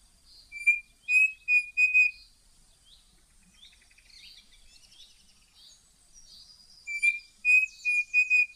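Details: Birds of the Brazilian Cerrado give two series of clear, flat whistled notes, three to four in each, separated by soft, high twittering from other birds.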